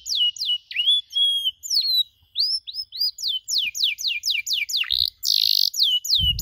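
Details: Canary tutor song for young birds still learning cuit-cuit sounds: clear whistled upslurs and hooked notes, then rapid sweeping downward chirps in quick series, with a short harsh buzzy burst near the end.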